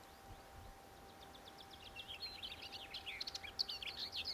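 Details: Lesser whitethroat song building from faint high ticking into a busy, scratchy warble of rapid jumbled notes that grows louder toward the end, over a quiet background hum.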